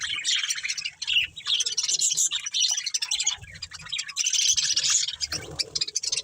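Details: Continuous high-pitched chattering warble from a breeding pair of budgies, dense twittering notes rising and falling in loudness, with a soft lower murmur near the end.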